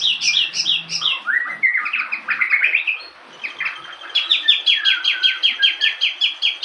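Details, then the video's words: Local lark singing a varied, busy song: rapid trills and chirps sliding from high to mid pitch, a short pause near three seconds, then a long run of quick repeated sharp notes. "Branjangan lokal full materi"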